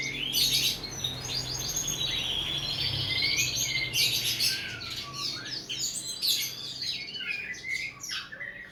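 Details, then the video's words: Bird song used as tutor material for training cage birds: dense, high, fast chirping phrases of rapid twittering notes in bursts, with brief pauses between the strongest outbursts and a faint low hum beneath. "Berbagai suara burung masteran"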